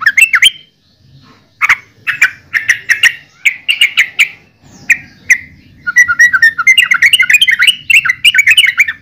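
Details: Yellow-vented bulbul song in bursts: clusters of rich, bubbly notes separated by pauses, building to a dense, rapid chatter at the end.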